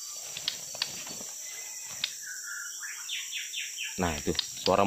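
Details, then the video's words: A wild white-rumped shama, one of two heard calling by a roadside on a morning, gives a run of clear, varied whistled phrases over a steady high insect drone, with a man speaking at the end. "itu suara murai liarnya, teman-teman. Bunyi terus di sebelah situ."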